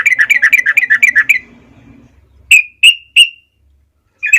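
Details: Yellow-vented bulbul (trucukan) singing steadily, a master for young birds: a quick bubbly run of wavering notes fading out, then three loud separate ringing chirps and the start of another phrase; a faint low rustle underneath.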